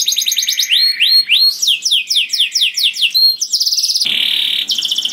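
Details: Canary delivering loud, tuneful song to attract other canaries, with repeated rising whistled notes, quick falling slurs and a closing dense buzzy trill.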